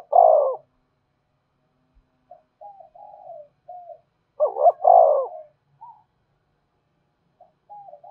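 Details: Spotted dove calling to lure wild doves in: loud, full cooing bursts alternate with softer, shorter coo notes, with quiet pauses between phrases.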